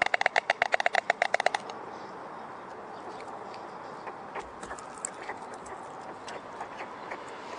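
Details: White storks in Vetschau at feeding time, 6:30 pm: a rapid, regular burst of dry, broadband clattering pulses lasting under two seconds, followed by a steady hissing background with scattered faint chirps.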